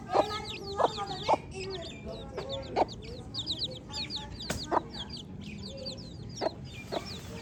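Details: Baby chicks chirping together: many high, thin peeps, each sliding downward, overlap almost continuously, with sharp tapping clicks and a few lower clucking notes mixed in.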